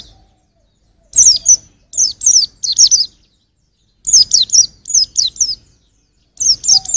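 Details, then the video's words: White-eye song meant for tutoring songbirds: groups of three to five high, thin, downslurred whistles delivered in brisk bursts, separated by pauses of about a second. "Kicau Pleci untuk Masteran"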